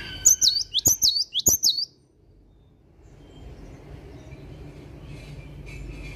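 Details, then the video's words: In the morning a cinereous tit sings hard, giving three rapid high whistled phrases, each a sharp note sliding down into a trill-like tail, before fading into steady low background noise. "Kicauan Gelatik Batu Gacor Dipagi Hari"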